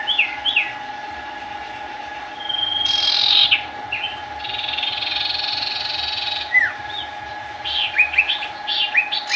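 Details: Sooty-headed bulbul singing: clusters of short whistled, downslurred notes separated by pauses, with bursts of hissing noise and a constant low electrical hum behind.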